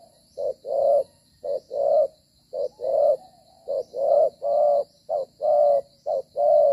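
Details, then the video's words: Spotted dove used as a trapping decoy, cooing while moving and fighting, recorded 25 September 2023: low, mellow hooted notes near 500–700, alternating short and longer coos in a steady run of about one per second. "Bổi có nết đấu duy chuyển kèm gù quá hay"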